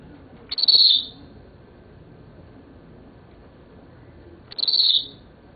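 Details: Seven-year-old male pet Senegal parrot, said to be talking, utters two matching harsh high notes about four seconds apart, each starting abruptly and fading after roughly half a second, with low steady room noise.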